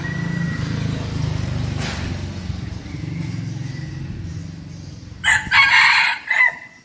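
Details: Against a droning motor hum, a seven-month-old red junglefowl decoy rooster in Bình Phước, Vietnam, bursts into a loud, raspy crow in three pulses. The crow ends in a drawn-out final note.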